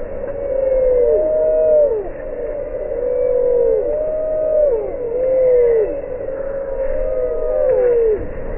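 A group of chicks peeping, slowed down so each peep becomes a low, drawn-out falling whistle. The calls overlap and come several times a second.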